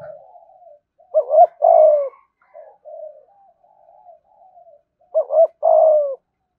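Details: Spotted dove kept as a cage bird, cooing thúc gù: soft low murmurs fill the gaps between two loud phrases of a double hoot and a long descending coo.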